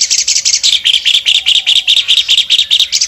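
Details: Albino Asian pied starling in lively song with wings spread, giving a steady stream of sharp, rasping chirps repeated roughly two and a half times per second, with a brief higher, fizzier start.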